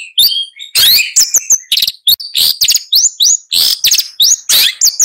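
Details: Long-tailed shrike singing loudly and rapidly, harsh scratchy notes alternating with upslurred whistles in an uneven stream.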